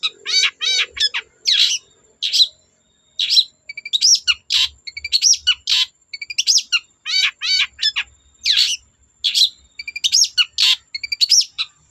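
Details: Long-tailed shrike in full, persistent song used to provoke untrained shrikes into singing: rapid varied chattering with buzzy harsh notes, sharp whistles and trilled phrases in dense bursts, barely pausing across the whole stretch.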